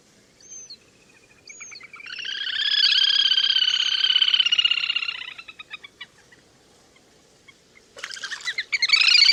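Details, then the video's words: Lesser whistling duck calls for luring birds while hunting: a few single rising whistles, then a loud sustained run of rapid shrill twittering, a pause, and another sharp burst. "Tiếng Chim Le Le Hôi"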